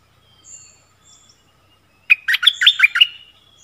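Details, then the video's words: Caged stripe-throated bulbul and wild birds trading song, 1 April 2021; the wild birds come but stay up, likely nesting. Soft high whistles first, then a dense, rapid run of gurgling, warbled notes for over a second. "เสียงต่อนกดอกแตงEp.40 Burung merbah lekir gacor"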